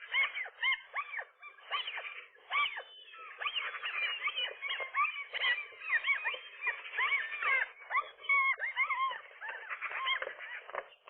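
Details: Gull pair at their nest on a roof, April morning, driving off an intruding single gull; continuous chorus of harsh, arched, yelping calls overlapping one another, steady and agitated with little pause.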